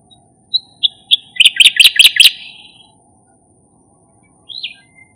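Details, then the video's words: Striated grassbirds beside the Marikina River, 20 March 2022: three clear high notes, then a quick burst of about five sharp, scratchy notes and a fading trill, one more note after a pause, over a low hum. "Calls of Striated Grassbirds"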